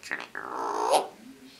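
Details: Female eclectus parrot kept as a pet indoors, swaying back and forth while talking in a man's voice; a short harmonic vocal phrase with a strained, hoarse rising tone, ending in a brief low hum.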